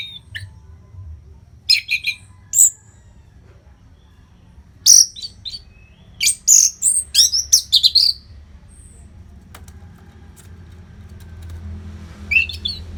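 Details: Orange-headed thrush used as a tutor song for contest birds: scattered sharp high chirps, then a fast cluster of bright twittering notes mid-recording, fading to faint notes over soft hum.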